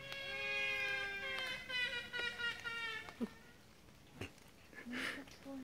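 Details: Trumpeter hornbill at Mtunzini, South Africa, June 2017, gives a drawn-out, nasal, wavering wail like a crying baby, lasting about three seconds; clicks, knocks and a voice follow.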